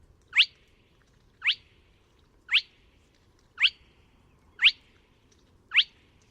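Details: Spotted crake (Porzana porzana) recorded at Neda, A Coruña, Spain, on 24 March 2017, giving sharp, whip-like upslurred whistles, six of them about one per second, over a quiet low rumble.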